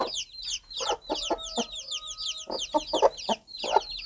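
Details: Hen gently clucking to her baby chicks: short low clucks in small bursts, a faint steady hum in the middle, and busy high cheeping chicks throughout.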